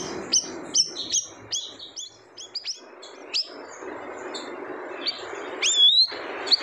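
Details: Looser, more varied high chirps and twittering notes from a siri-siri bird, ending in a drawn-out rising whistle, with quieter gaps and soft background hiss.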